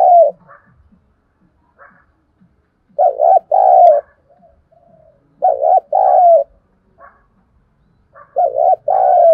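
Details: Spotted dove used as a decoy to rouse wild doves, repeating its low two-part coo three times, roughly every two and a half seconds, with a few soft chirps in the pauses.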